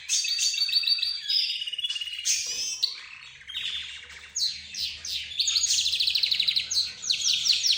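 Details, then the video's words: Caged budgerigars, zebra finches, a rose bird and a canary singing together. Fast rapid-fire trills and clicks alternate with whistled phrases, dipping briefly before a dense buzzy run of notes resumes. "حديث الطيور"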